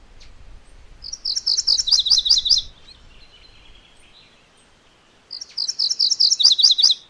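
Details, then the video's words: A MacGillivray's warbler repeats its song twice, roughly four seconds apart. Each burst is a high, quick series of chanted notes ending in lower paired syllables, with slight low rumble at the start. "MacGillivray's Warbler Song ! MacGillivray's Warbler Sounds ! MacGillivray's Warbler Call"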